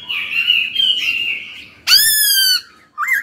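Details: Laughingthrush being trained to sing: a long, thin, steady whistled tone, then a loud, harsh, nasal call lasting over half a second, then a brief wavering whistle.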